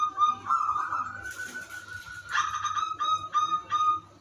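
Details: Zebra dove of the udanmas silver type, singing a melodious lure song meant to set other zebra doves singing; long mellow sustained coo tones, then short tremulous notes repeated several times near the end.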